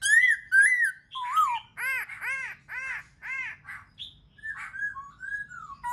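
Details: Black-throated laughingthrush song, used to encourage other birds to sing: two loud, ringing, downslurred whistles and a wavering note, then a steady series of rich, arched, nasal harmonic notes, followed by softer varied chatter.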